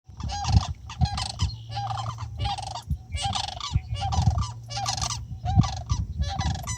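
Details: Florida Sandhill Cranes at night giving loud, rolling, trumpeting cries in rapid bursts, about one per second, over a steady low hum.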